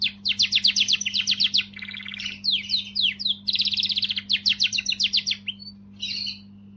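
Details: Canary song aimed at stimulating females: strongly modulated rapid repeated sweeping notes in quick series, buzzy segments between, with a constant low hum.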